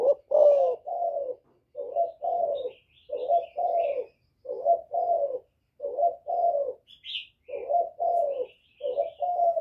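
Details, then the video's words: Spotted dove giving its 'giọng thổ' provoking call to rival males. Some sixteen deep, mellow coos are delivered in a brisk, slightly uneven rhythm, often paired, while light high chirps of other birds flicker in the background. "Cu Gáy Giọng Thổ GÁY GỌI kích bổi cực hay, cu gáy một hậu hạp bổi, cu đất gáy kích bổi, cu cườm gáy"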